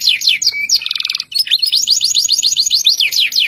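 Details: Local canary singing a long rolling song meant to draw other canaries into singing: fast chains of high sweeping notes, a buzzy rattling trill near the middle, then rapid evenly repeated falling whistles.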